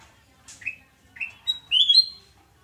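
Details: Sooty-headed bulbul singing in the morning at a home in Surabaya, 29 November 2017: a short sweet phrase of bright whistled notes, rising slurs building to a loud, clear sustained whistle near the end.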